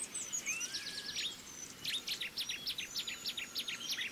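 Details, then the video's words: Female pied fantail feeding her young, with a dense run of high, sharp, downward-slurred chirps tumbling over one another. A few longer thin whistles run beneath them. "Sikatan Kipas Meloloh Anaknya"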